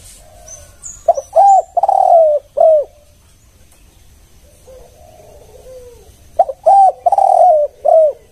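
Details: Spotted dove lure coo of the one-kuk style, given twice: quick stuttered notes leading into long mellow hoots. A faint soft phrase and thin high chirps lie between.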